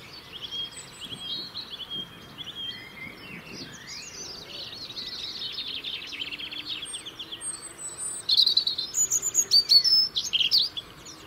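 European robin song: thin, high, liquid warbled phrases with sudden pitch jumps, growing louder and more sparkling toward the end, over a soft outdoor hiss.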